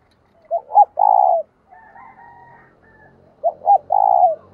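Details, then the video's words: Decoy spotted dove calling to attract wild birds, delivering two matching phrases, each two quick notes then a long rolling coo, separated by faint, thin tonal calls. "Chim cu gáy mồi thúc gù và gáy gọi hay"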